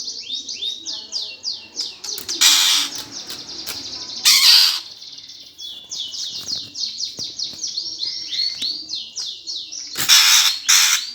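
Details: Greater green leafbird in 'gereja tarung' fighting song, meant to provoke competition birds: repeated runs of rapid descending high chirps, punctuated by four loud harsh rasping bursts.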